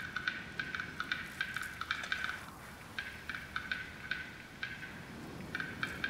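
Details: Male black-billed capercaillie (Tetrao urogalloides) in April in the west of the Greater Xing'an Range, northern China, sings its courtship song of dry, sharp clicks in uneven runs of three to six, quickening in bursts, over a soft hiss, to attract a mate while a rival male displays.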